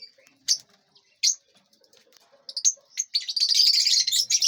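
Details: Lovebirds in a large aviary, eating and flying: sharp, high chirps scattered at first, then building into a dense, continuous chatter of many birds toward the end.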